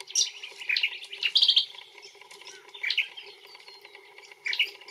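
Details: Australian brown honeyeater (Lichmera indistincta) calling: sharp bright chirps, a quick trill of clipped high notes, then more separate squeaky calls after short pauses.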